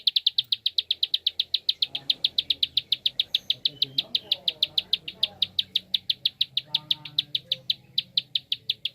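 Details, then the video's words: Fast-clicking prinia, a call played to encourage other birds to sing: a dense, unbroken series of loud high ticks, about four or five per second, over a soft low rumble. "SUARA JITU Prenjak Klik cepat"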